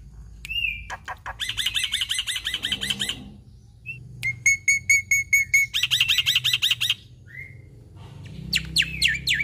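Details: Black-winged myna (jalak putih), endemic to Indonesia, in a chattering full-content song: a whistled note near the start, then bursts of rapid repeated chirps, a steady run of sharp whistles around four seconds, and bright trills alternating with short pauses.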